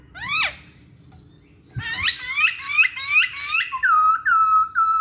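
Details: Masked laughingthrush song played as a lure to prompt other laughingthrushes or songbirds to sing: a falling swept note, a pause, then a run of loud rising whistled notes ending in long steady level whistles.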